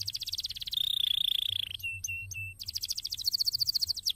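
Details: Canary song recorded in a cassava garden, opening with a fast buzzy trill, then a steady rattling tour held over a second, three short lower notes, and another quick high trill ending in a rising slur.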